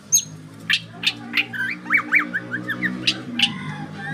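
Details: White-rumped shama giving a varied burst of sharp high notes and short rising, slurred whistles in quick succession over a steady low hum.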